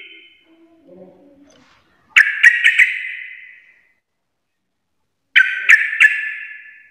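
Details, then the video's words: Sooty-headed bulbul in garuda-style singing: after soft low notes, two short, explosive bursts of three or four clicking, raspy pulses, each dying away, separated by about two seconds of silence. "trucukan gacor full Garuda parah"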